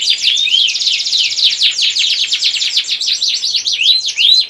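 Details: Domestic canary singing in the 'gacor ngerek' style meant to stimulate breeding: dense, fast high trills and overlapping downward-sweeping notes pour out without pause, with occasional short rising whistles.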